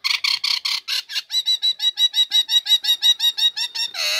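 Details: Caged female Nias hill myna in full voice once its cover comes off, used to prompt lazy birds to sing: a steady string of about twenty ringing, harmonic notes delivered quickly, ending in a drawn-out harsh note.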